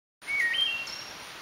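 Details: Wood thrush, the first one heard this spring, recorded May 9, 2012: a clear fluted phrase stepping between low whistled notes, then a brief higher ringing flourish, over a steady soft background hiss.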